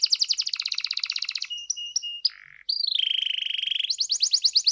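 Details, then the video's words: Continuous canary song for stimulating shy canaries to sing: a dense rapid trill, clipped whistles, a low harsh buzz, then a long even roll and quick loud notes. "PANCINGAN AMPUH BUAT KENARI YANG SUSAH BUNYI AUTO NYAUT, SUARA BURUNG KENARI GACOR DOR"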